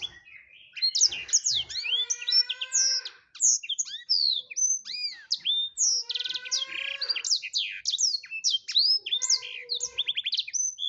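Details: Blackthroat in full gacor song, kept as masteran tutor material: a dense, rapid run of high sweeping whistles, trills and buzzy notes with hardly a pause, several phrases layered over steady lower tones.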